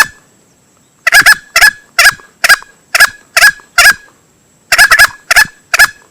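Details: Male green junglefowl crowing, a recording used as a hunting lure: harsh, broadband short bursts repeated about twice a second after a quiet first second, with a brief pause near four seconds and a faint steady high tone throughout.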